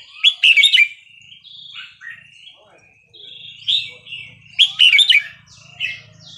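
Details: Burmese-style song of a red-whiskered bulbul, 3-4-5-6 pattern, meant for training young birds: two bursts of quick, sharp chirping phrases separated by softer whistles, with a faint low hum beneath.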